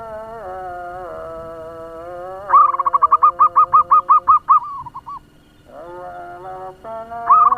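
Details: Local zebra dove lure bird singing quickly: a rapid string of bubbly coos runs for about two seconds among steady, tonal harmonic sounds, followed by a pause and the start of another burst.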